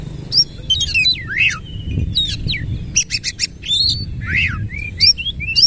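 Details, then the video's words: Oriental magpie-robin (kacer) in full, energetic 'nembak ngerol' song, tail fanned open; high whistled notes, swooping down-slurs, and short clusters of sharp buzzy chips, loud against a quiet low rumble. "KACER GACOR NEMBAK NGEROL FULL BUKA EKOR"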